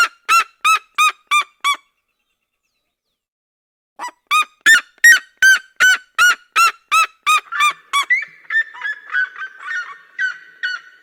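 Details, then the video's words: Red-legged seriema of the Brazilian cerrado giving its duet song: loud, harmonic yelping notes repeated nearly three per second in a burst, a pause, then a longer series ending in overlapping, blurred yelps from a second bird. "CHAMADO E CANTO EM DUETO DA SERIEMA - SERIEMA DO CERRADO"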